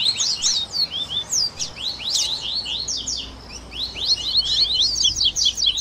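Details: Double-collared seedeater 'baderna' song blending tui tui, grego, viviti, flauteado and third-note styles, for captive birds: pulsing groups of high whistled slurs and chirps, softer midway, ending in a quick rising run.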